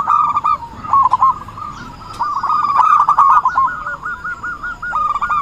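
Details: Zebra dove in full song as a lure for trapping, a brisk rattling sequence of clipped coos, nearly three notes per second, running almost without pause.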